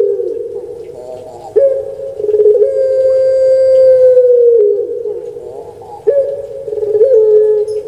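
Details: Series of drawn-out coos from a domestic puter pelung dove kept in Java, Indonesia: a low rolling start, then a long steady tone near three seconds, ending with a drop, repeated again.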